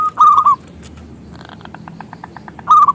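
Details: Local zebra dove singing as a lure for other doves: a loud rolling coo at the start, a faint patter of short notes in between, and another loud coo at the end.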